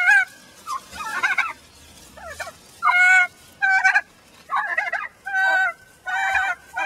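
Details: Angry laying hen inside a chicken-wire pen, upset at being returned to the flock after the others nearly killed her, making turkey-like noises: loud harsh rasping bursts, each under a second, repeated with short pauses, some sustained nasal tones between.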